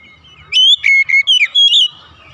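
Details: Oriental magpie-robin singing in the morning: a brief phrase of five loud whistled notes, the sliding notes rising and falling, set between quiet gaps.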